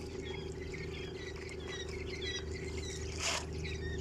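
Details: Home-raised quail chicks, 20 days old, on an Indian quail farm: many short high chirps scattered irregularly, several per second, with a constant low humming drone and one brief rustling burst near the end.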